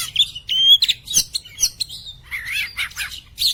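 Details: Oriental magpie-robin, kacer poci, a cage bird used to prompt others to sing: clear long whistled notes, then a warbled wavering phrase and short sharp chips.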